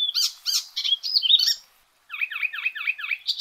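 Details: Icterine warbler, called kerak basi eropa or ciblek alas, singing in full voice: a run of harsh chattering notes, a brief silence, then a quick series of buzzy descending chevron-shaped notes.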